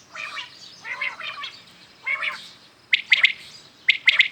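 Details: Common quails heard in the morning. Several hoarse, mellow calls are followed by two bright, clipped three-note phrases about a second apart.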